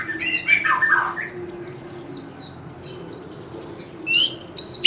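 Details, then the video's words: Male white-rumped shama singing in a contest style: rows of short falling whistles, a burst of lower rich warbled notes near the start, and a loud tangled flourish of high notes at the end, with a steady high whine throughout. "Chòe Than Trống Hót Liên Hồi – Âm Thanh Chuẩn Giọng Rừng - Chích Chòe Than Hót Đấu"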